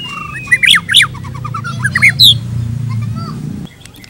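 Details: White-rumped shama trigger song used for tutoring other shamas: a burst of bright whistled notes, sharp upslurs and a falling chain of short chips around the middle, over a steady low rumble.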